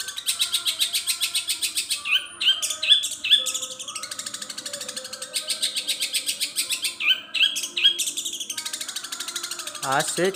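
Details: Long-tailed shrike, a caged songbird, pouring out a long song mimicking other birds: rhythmic buzzy chattering pulses, clusters of short clear whistles, and a low descending note at the close.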